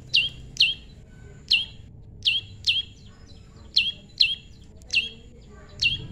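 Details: Pairing song of a tame prinia (prenjak lumut): ten crisp, high, down-flicking chirps, mostly in quick pairs spaced about half a second to a second apart, against faint background hum.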